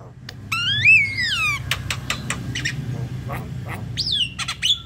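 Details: Javan myna song used as a lure to prompt singing: a long descending whistled slur with rich overtones, then scattered short clicks and rasps, ending in a high falling whistle over steady low background hum.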